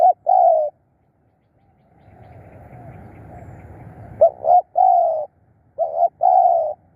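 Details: Spotted dove kept as a decoy to lure wild birds, giving short hoarse coos in paired bursts, a pause, then a soft rustling murmur before three more quick coos in close succession.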